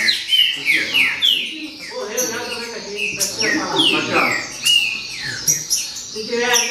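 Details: Baderna song of a green-winged saltator: repeated clear whistles that drop in pitch, delivered in irregular bursts over several seconds, over a background of low muffled talking.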